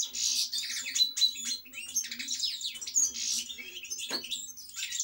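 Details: European goldfinch singing a lively stream of high, twittering and tinkling phrases with buzzy notes mixed in. A brief low knock sounds about four seconds in.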